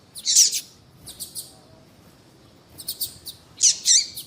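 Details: Female yellow-bellied seedeater calling to attract males, used to excite caged males for singing contests: high, harsh chirped notes in short bursts with pauses between.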